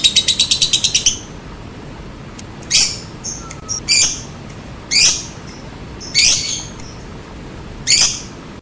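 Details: Lovebird lure call opening with a quick rattling burst of clipped high notes, then a short pause and a series of harsh buzzy squawks about once a second, mixed with faint twittering.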